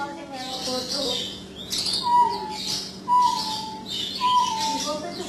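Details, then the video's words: Jungle bush quail giving a described strange call. Three clear, slightly falling whistled notes arrive about once a second, mixed with high chirping from other birds and some faint voices. "SUARA ANEH DARI BURUNG PUYUH HUTAN/ Perdicula asiatica"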